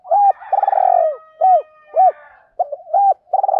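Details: Kích bổi style song of a spotted dove, edited: brisk sequence of short hooted notes and two long vibrating coos, fairly dense, with a faint humming overtone behind.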